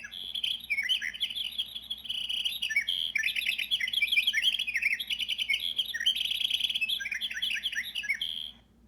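A winter wren pours out a long, rapid, high-pitched song of tumbling trills and tinkling warbles, running nearly nine seconds without a break.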